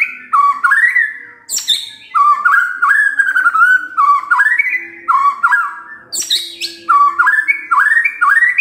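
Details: White-rumped shama morning lure song, meant to prompt a quiet bird to answer: bright whistled phrases rising and falling, repeated in bursts about every one to two seconds, with sharp clicks between phrases.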